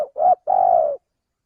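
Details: Spotted dove luring call: a brief rising coo, a short pause, then a longer sustained coo that falls slightly at the end, clean and low-pitched with no other sounds.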